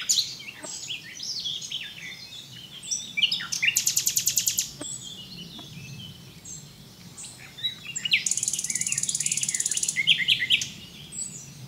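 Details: Nightingale song in full flow: jumbled high twitters alternate with two long bursts of fast, machine-like repeated notes, each lasting over a second, against a faint chorus of other birds.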